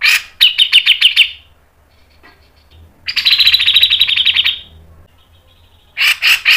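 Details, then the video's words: Cucak jenggot (grey-cheeked bulbul) in a speedy 'mbeset' training song: a quick run of sharp notes, then a sustained raspy rattle lasting about a second and a half, ending with another rough burst. "MASTERAN CUCAK JENGGOT MBESET NGEPIK NEMBAK PANJANG SPEED RAPAT | PANCINGAN cucak jenggot"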